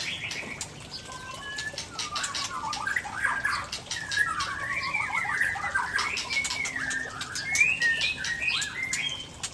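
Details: Rare fill-in phrases from an Aceh white-rumped shama of Tangse origin: long flowing warble of rising and falling slurred whistles, fairly soft, over constant hiss and clicking.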